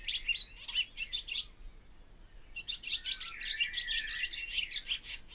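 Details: Twittering barn swallow song: quick high chirps and buzzy trills in a short opening burst, a pause of about a second, then a longer run of rapid chattering notes.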